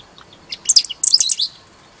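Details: Great pampa-finch at Laguna Diario, Maldonado, Uruguay, on 29 February 2012, giving two quick bursts of high, jumbled chirps and squeaky notes, each under half a second, against a quiet background.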